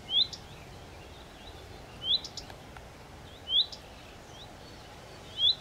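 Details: Common redstart, Phoenicurus phoenicurus, giving a rising whistled 'hweet' followed by short ticking clicks, repeated roughly every one and a half to two seconds against steady outdoor background noise.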